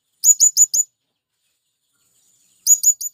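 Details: A male blue-crowned hanging parrot gives its lure call for wild birds: a quick series of four shrill, very high chirps, a long silence, then three more.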